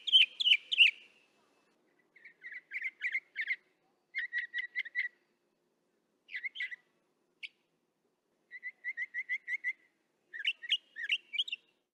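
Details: Northern mockingbird (Mimus polyglottos) singing in the distance, recorded with a parabolic microphone: varied phrases, each repeated several times in quick series, high chattery bursts, then lower clipped notes repeated steadily, with short pauses between phrases.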